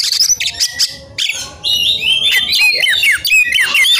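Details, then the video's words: Agitated white-rumped shama singing as if seeking a rival: rapid, varied high whistles and harsh notes, sliding and buzzy phrases tumbling together in a dense stream. "EMOSI MELEDAK KEPANASAN || kacer gacor cari lawan tarung"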